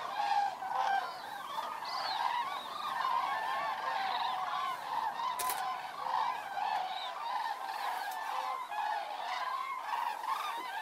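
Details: Many Common cranes calling as they fly in to roost on the evening of 3 October 2018 at Federow, Germany, with low water after a long drought: dense overlapping trumpeting, rolling calls layered continuously.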